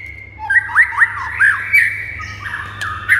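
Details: White-rumped shama song meant to make silent shamas instantly answer, sing steadily and grow excited: slurred whistles around mid pitch with short upward flicks, fairly faint and smeared, over a low steady electrical hum.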